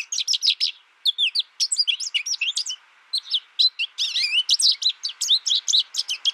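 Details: American goldfinch giving a rapid, high twittering run of short sweeping and warbled notes in bursts, with a brief pause near one second and a clean, quiet background.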